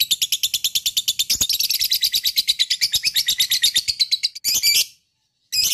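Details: Lovebird delivering a ngekek, the long chattering song meant to set other lovebirds singing. A fast, dense, shrill trill of rapid repeated notes lasts nearly five seconds, then a brief pause and a fresh burst.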